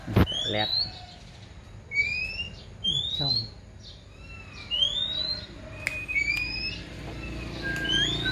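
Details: Oriental magpie-robin raised from a young age, giving clear, loud rising whistles that slide upward, spaced a second or two apart, mixed with short chirps and a few sharp clicks, over a quiet hum.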